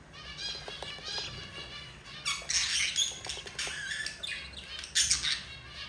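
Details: Budgerigar chicks, four in all, being fed by their yellow mother: soft chattering at first, then loud harsh raspy squawks burst out in quick groups, rising and falling in intensity.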